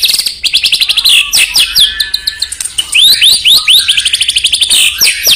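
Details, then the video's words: Murai batu (white-rumped shama) song played to provoke rival birds: a loud, fast medley of sharp chirps, rising and falling whistled slurs and rapid trills, high-pitched and varied throughout. "PUTAR SEBELUM GANTANG untuk Pancing EMOSI"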